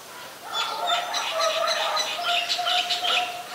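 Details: Loud nasal, honking white-vented myna (Acridotheres grandis) calls, Ubon Ratchathani, Thailand, 26 December 2020, running almost continuously with squeaky overtones and brief breaks, slightly rising and falling in loudness.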